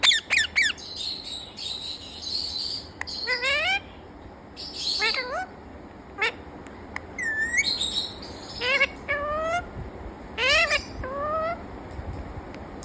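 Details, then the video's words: Pet parrot producing a string of sliding whistles and harsh squawky bursts. Several notes sweep upward in wavering ladders, separated by short gaps. Sharp clicks are scattered through the sequence against a quiet room background. "Amazing Talking Parrot"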